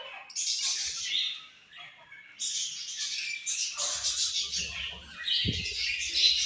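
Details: Budgerigars chirping in a continuous high chatter of buzzy, scratchy warbles and quick tweets, several birds overlapping, with a brief dull thump near the end.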